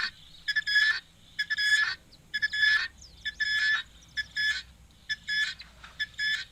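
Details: Helmeted guineafowl running around like mad chickens drinking at an African waterhole give loud, harsh, grating bursts about once a second, a steady rhythm of rasping cackles over a faint low rumble.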